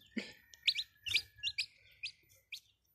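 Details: Chicks of domestic chickens giving high, quick peeps, spaced irregularly about half a second apart over a faint low hum.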